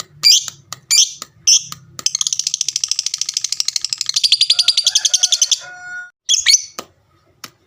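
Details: Fighter lovebird giving a few harsh chirps, then a sustained rapid buzzing trill of almost four seconds, the long ngekek meant to provoke every lovebird that hears it to answer, ending with more squawks.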